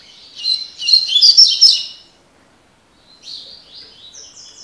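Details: Double-collared seedeater (coleiro) singing in the tui tui (tocó) style: a rapid burst of high, twittering, buzzy notes for about two seconds, then a pause and a softer run of thin descending phrases.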